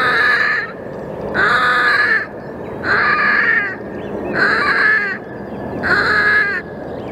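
A Red-necked grebe gives five loud, harsh, nasal braying calls, each under a second long, repeated about every second and a half.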